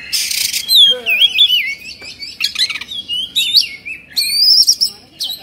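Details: Oriental magpie-robin showing 'kongslet' agitation, tail fanned out, singing rich looping whistles that twist up and down, punctuated by scratchy bursts and a long rising whistled phrase near the end.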